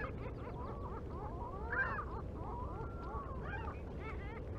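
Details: American white pelicans on the Mississippi River flyway, recorded 1 April 2021 by a live camera; several low nasal grunting and warbling calls overlap, with a steady low rumble of wind or water underneath.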